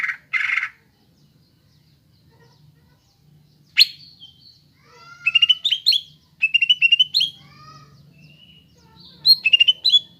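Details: Greater green leafbird singing to prompt young birds: two harsh bursts, a sharp note, then scattered clusters of quick, thin whistled chips and warbles with pauses between.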